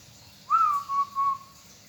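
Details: One phrase from a local zebra dove kept by bird hobbyists: a bright rising whistled note followed by two softer, shorter level coos.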